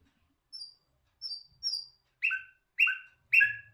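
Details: Sparse song from a nightingale: thin high notes, then lower slurred double notes repeated about every half second, with a faint low rumble near the end.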